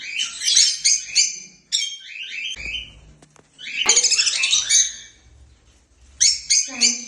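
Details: Happy African lovebirds flying freely chatter in long, dense runs of shrill, squeaky chirps, rapid and overlapping, broken by short pauses and a couple of soft knocks.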